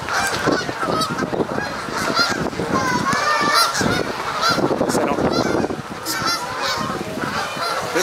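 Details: A noisy flock of Canada Geese, the largest seen there, honks loudly and constantly in a crowded, overlapping chorus of harsh nasal calls during a skirmish with birds locked together, at Sapsucker Woods, Ithaca, New York, on 17 September 2016.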